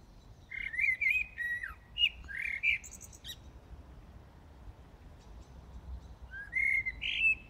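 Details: A common blackbird sings in darkness in Brussels, Belgium, early morning of 15 January 2018: a mellow, fluted phrase with a thin squeaky twitter, a pause of several seconds, then another low warbled phrase.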